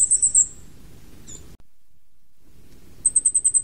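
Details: Flamecrest, endemic to Taiwan's mid- and high-altitude mountains, giving very high, thin, needle-like notes in quick runs of five to eight, with a soft low rumble underneath.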